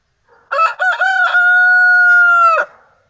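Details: A rooster, one of three free-range Criollo roosters kept together in one yard, crows once: a few choppy opening notes, then a long, steady, drawn-out final note lasting about two seconds, ending abruptly.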